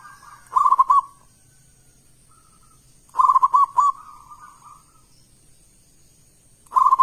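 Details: Local zebra dove, a loud, big-voiced, persistent singer used as a lure to make other doves sing: bursts of rapid staccato coos with a trilled ending, about three seconds apart, softer drawn-out coos between, over a faint steady high whine.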